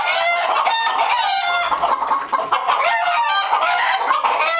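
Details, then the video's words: Alarmed hens in a coop producing a dense, loud chorus of overlapping clucks and screeching cackles, continuous without pause. "Gdakanie kur, screaming chickens, hen sound effect"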